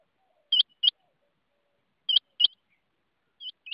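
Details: Rain quail voice, a crisp two-note call repeated at steady intervals, the paired notes high and ringing, with a softer final pair trailing off; nothing else audible.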